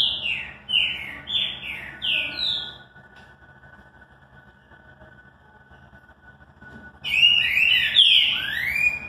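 Green-winged Saltator singing rich, slurred whistles that fall in quick succession, a short pause, then a louder burst of tumbling phrases; a faint steady hum underneath.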